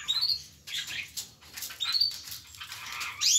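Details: A mockingbird in Soacha sings in quick bursts of harsh, scratchy notes mixed with thin, high whistled sweeps, with brief pauses between phrases, in a small quiet room.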